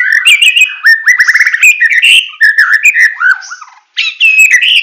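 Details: Full tembakan song from a Medan white-rumped shama: a dense, loud stream of rapid chirps, clicks and ringing whistled slurs, nearly continuous, with one brief silence before the song resumes strongly.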